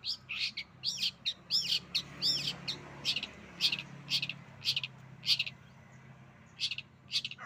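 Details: Long-tailed shrike (cendet) singing canary-like phrases: arched whistled notes and short sharp chirps repeated about twice a second, over a faint low background hum.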